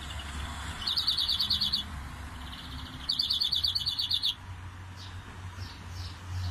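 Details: European greenfinch singing a canary-like song type called "dalında canalye makarası": two rapid, buzzy trilled phrases, each under a second and a half, then a few thin upslurred notes; low hum underneath.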